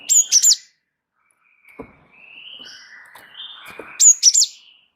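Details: Java sparrow, a gacor bird performing a rolling song used as a training recording: short bursts of high sharp chirps and clicks, with quieter whistled notes between bursts.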